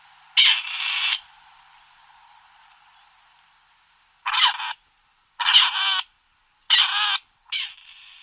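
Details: Grey Partridge giving harsh, rasping calls: one long grating note, a pause of about three seconds, then four shorter scratchy bursts in quick succession, each roughly half a second, on a quiet background.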